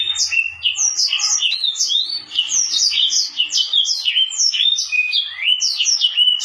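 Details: A Mozambique canary crossed with a canary delivers a fast, unbroken run of sharp whistled notes and chattering trills that sweep steeply up and down, with each phrase flowing into the next and little background noise.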